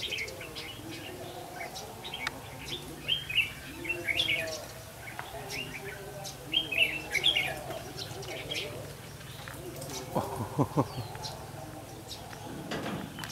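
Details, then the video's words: Red-whiskered bulbul kept as a trapping decoy, 8 October 2016: clear warbled phrases in two bursts a few seconds apart among other bird chatter, with some low knocking noises near the end. "Bẫy chào mào"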